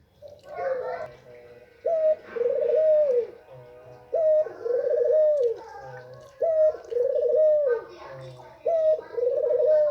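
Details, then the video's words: White female Barbary dove calling to arouse males: a short clipped note followed by a long rolling, purring coo, repeated about every two seconds in a steady series, with faint low hum beneath. "puter jantan pasti birahi dengar suara ini//puter putih betina"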